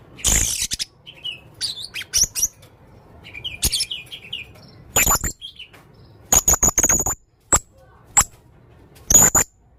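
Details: Male Blue-crowned hanging parrot calling actively with unusual sounds: a busy string of shrill, very high squeaks, short clicking bursts and softer mid-pitched twitters, coming in irregular clusters over about ten seconds.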